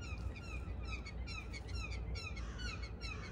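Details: A family of six Blue Jays in a backyard in the early morning, waiting for peanuts, with crows also waiting: repeated clear, downslurred calls given in quick succession over a constant low rumble.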